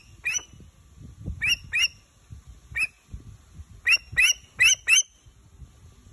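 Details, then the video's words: A pet bat hawk (Macheiramphus alcinus) gives sharp, squealing notes, singly and in quick pairs, about eight in six seconds, with a faint low rumble beneath. "Bat hawk sound"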